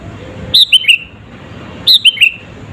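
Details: Sooty-headed bulbul song as a lure to excite rival birds: two identical phrases, each a high clear whistle followed by two lower, falling slurred notes, about 1.3 seconds apart.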